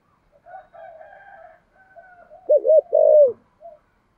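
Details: Decoy spotted dove used for luring wild doves, 'giọng thổ' voice. A soft, low murmur is followed by three loud, hollow coos, the last one longest, then a faint closing note.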